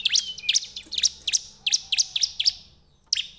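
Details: Bar-winged prinia singing as a lure for other birds: rapid, evenly spaced sharp chirps with steep high flicks, about three per second, then a short pause before one more note.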